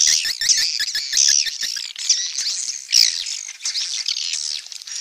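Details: Swiftlets twitter in a dense, high, buzzy chatter of overlapping chirps and trills, with rapid ticking notes throughout and no pause; a swiftlet call recording meant for playback through an amplifier.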